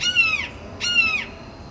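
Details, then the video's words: Perched red-shouldered hawk giving territorial calls at rival hawks; two loud, clear, descending screamed notes like kee-ah, each about half a second long and about 0.8 seconds apart, over faint background hiss. "Red-shouldered hawk perched and calls"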